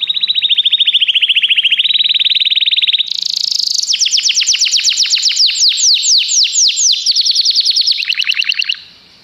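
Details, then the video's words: Common canary singing a long continuous sequence of rapid trills, each section at a different pitch, moving from steady mid-high rattles to higher, sweeping repeated notes before ending. "Canários cantam"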